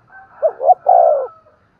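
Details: One cooing phrase from a spotted dove, used to urge other doves to coo: two quick soft hoots, then a drawn-out, gently descending coo, with a faint high tone in the background.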